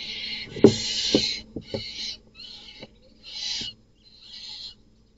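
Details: At night in a nest box, a male barn owl, not the chicks' father, kills the brood of another male. Harsh noisy hissing screeches, one after another, about two per second and fading, with sharp knocks and scuffles.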